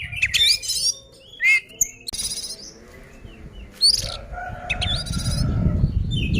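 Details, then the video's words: Oriental magpie-robin in combative song to goad other birds: rasping bursts, whistled upslurs and scratchy notes, with rising low rumbling noise toward the end. "suara burung kacer gacor ngeplong tarung ini ampuh buat pancingan kacer agar emosi"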